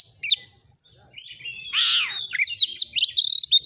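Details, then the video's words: Oriental magpie-robin song played to excite captive birds into chattering: high whistled notes, a loud harsh descending rasp, then a busy stream of squeaky warbled phrases with sharp ticks at the end. "Masteran burung Kacer AUDIO JERNIH BUAT ANGKAT EMOSI AGAR CEPAT ON NGOBRA,Kacer gacor"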